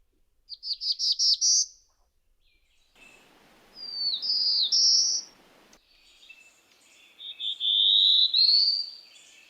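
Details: Black-throated blue warbler song, described as rising and buzzy: a short run of four or five buzzy notes climbing in pitch, followed by other slurred, buzzy phrases and a stretch of background hiss.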